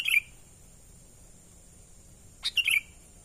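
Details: Sooty-headed bulbul giving its natural call, used to lure wild birds: two short bubbly phrases about two and a half seconds apart, each a sharp high note then chattering notes sliding down. A steady thin high whine runs throughout.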